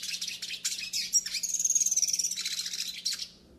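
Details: Yellow-faced siskin song for teaching and warming up birds: a busy, high twittering phrase with a thin, drawn-out whistle, then a fast, even, pulsing trill, ending in a few scratchy notes.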